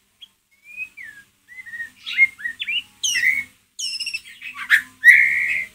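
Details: White-rumped shama in ngeriwik mode, played to provoke a pet shama: soft slurred whistles building into sharp descending stacked notes, high repeated zips and a final loud buzzy harsh note.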